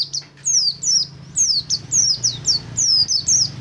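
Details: Oriental white-eye song used to stimulate other caged white-eyes to sing: high, thin descending whistled slurs repeated rapidly, about eight phrases in under four seconds, over a faint low hum.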